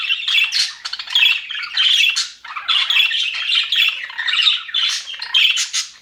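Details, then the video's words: Happy budgerigars kept in an aviary, with pulsing bouts of scratchy warbling and squeaks that rise and fall in loudness, briefly dipping around the middle. "HAPPY BUDGIES SOUNDS"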